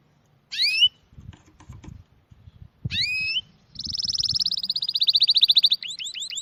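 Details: Two short, complex chirping phrases separated by soft low knocking and handling noise, followed by a long, rapid, high trill and a few short upswept notes.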